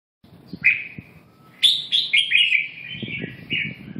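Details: Red-whiskered bulbul singing: a short whistled note, then a bright run of slurred, warbling phrases that rise and fall, ending in rapid chattering notes, over a faint low background rumble.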